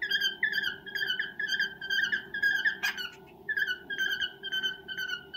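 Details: Indoor male cockatiel serenading a female in courtship: a run of bright, wavering whistled phrases repeated about twice a second, a short pause after one harsh squawk, then the same warbling pattern resumes.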